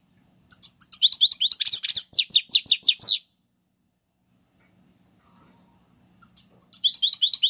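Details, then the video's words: European goldfinch delivering tiwawati galoubi and serfati song, Algerian style, for teaching young birds: a long, fast, liquid twittering series of clipped notes, a pause of about three seconds, then the lively chatter resumes. "حسون تيواواطي قالوبي + سرفاتي , تغريد اكثر من رائع"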